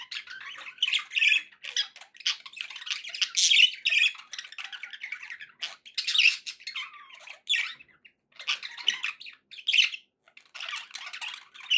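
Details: Budgerigars kept as pets chatter happily with irregular bursts of raspy warbling and sharp squawky notes, some louder peaks.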